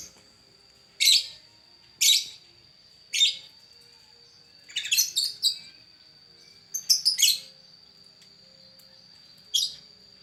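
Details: Lovebird described as lovestruck: sparse, short, harsh chirps, first singly about once a second, then in quick clusters of three or four, over a steady high electronic whine.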